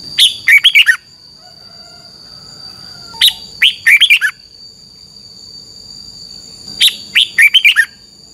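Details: 'Double' style song of a Thai caged red-whiskered bulbul, used for training birds to count notes: three lively bursts of five or six fluty, downslurred notes, spaced three to four seconds apart, over a steady thin whining tone.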